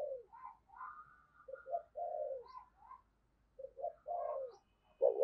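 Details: Decoy spotted dove calling wild birds with thúc and gáy cooing: stuttering short notes leading into a drawn-out, slightly falling coo, twice, with a loud abrupt coo at the very end.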